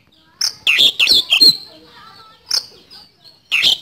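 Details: Oriental magpie-robin singing in lively bursts: short clusters of bright, high chirps and warbled notes separated by brief quiet gaps, with a faint softer note in between.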